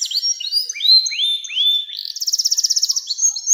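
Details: Long-singing canary, 'nembak panjang' style, for training young birds: a series of rising whistled notes climbing in step, then a dense, rapid buzzy trill and a final clear whistle, high-pitched throughout.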